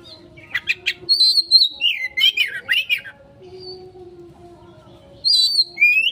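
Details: Oriental magpie-robin song used as a lure to provoke a quick response: loud whistled phrases, some sliding and some warbled, in short bursts separated by pauses, over a steady low electrical hum.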